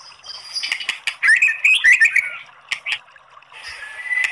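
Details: White-rumped shama song meant to provoke other birds into singing: sharp clicks and chattering notes lead into a bright, warbled whistled phrase, followed by scattered snappy notes and a thin, rising whistle at the end.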